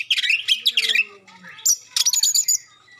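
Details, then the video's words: Magpie-robin singing sharp shooting phrases and clear tones that get other magpie-robins responding; quick, loud clusters of high chattering whistles, a clipped note, then a run of short staccato pips, over a faint low background tone. "suara tembakan tajam juga suara jernih bikin kacer lain langsung respon ngobra"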